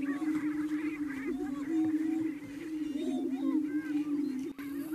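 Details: Lek display of greater prairie chickens near Wray, Colorado, more than 35 birds present, males courting smaller females. A deep, unbroken booming drone carries through the clip, overlaid by cackling, squealing whoops and busy chatter.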